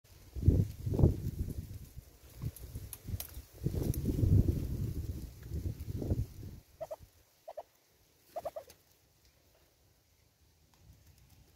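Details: Southern red-billed hornbill at a bird feeder in South Africa. Several seconds of low rumbling noise give way to short doubled clucks, three pairs spaced about a second apart, then near silence.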